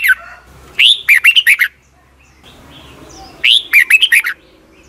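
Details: Caged red-whiskered bulbul from Thailand in its doubled song style, used for young birds to copy each morning: two phrases of a rising whistle followed by rapid bright warbled notes, over a soft low hum.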